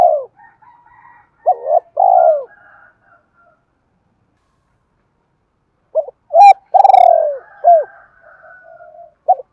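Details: Spotted dove phrases played to provoke decoy birds in training: short hooked notes and long, low, falling coos in two bursts. A sharp snapping sound and faint higher bird chatter are heard between the coos.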